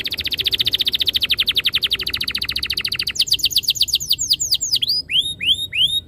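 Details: Canary master song meant to trigger long rolling song: a long, fast train of repeated descending notes, then sharper sweeping whistles that slow into separate upward-curving chirps.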